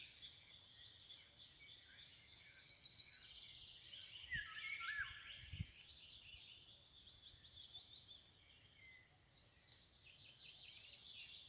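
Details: Eurasian golden oriole singing on 24 May 2022 in Anklamer Stadtbruch: a brief, fluty, liquid whistled phrase swooping down and up midway, set against a dense, busy chorus of many other birds twittering higher.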